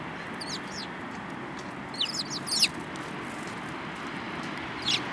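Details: Group of Eurasian tree sparrows, including one with a yellow bill, 7 March 2018; a few chirps early, a cluster of sharp tweets midway, one more near the end, over low steady noise.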